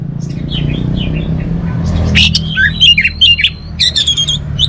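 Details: Orange-headed thrush singing: faint distant whistles first, then loud harsh notes, a long level whistle and clusters of sharp chattering notes, with low background hum.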